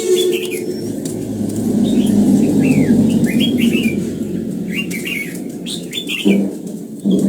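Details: Red-whiskered bulbul in morning song training for the old-forest double sound. Scattered short whistled notes and slurred phrases sit above a loud droning low background, with a couple of knocks near the end.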